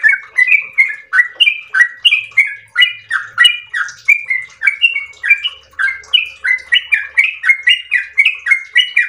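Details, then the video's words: Yellow-vented bulbul in full, constant song in the long rapid-fire style called ropel: bubbly, chattering mid-pitched phrases of rising and falling notes, pouring out nonstop at roughly three per second with no other sounds. "ROPEL MERDU trucukan gacor ropel panjang istimewa"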